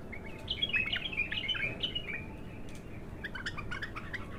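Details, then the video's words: Bulbul, a raw first song, sings clear whistled and chirpy phrases over about two seconds, then fainter scattered notes, against a steady low rumble of background noise. "تغريد الابتر خام اول فتحـه له"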